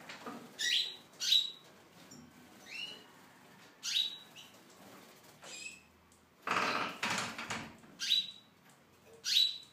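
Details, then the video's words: Tunisian goldfinch in an aviary, delivering sharp, high twittering notes spaced about a second apart, some ending in a thin whistled tone, with a brief rustling or flapping burst midway. "chardonneret tunisien (volière)"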